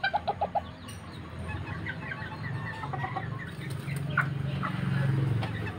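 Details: Serama bantam chicken, the smallest chicken breed, from Banten, Indonesia: four quick, evenly spaced clucks in the first half second, then a steady low hum with scattered faint chirps and clicks.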